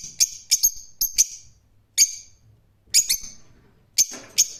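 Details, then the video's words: Rose-ringed parakeet giving shrill screeches in clusters of two or three notes, interspersed with short pauses and faint low background sounds. "Cennet Papağanı Sesi"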